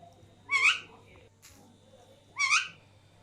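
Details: Alexandrine parakeets indoors, two sharing food while a third laughs: two short, harsh, rising squawk bursts about two seconds apart, with a faint click in between.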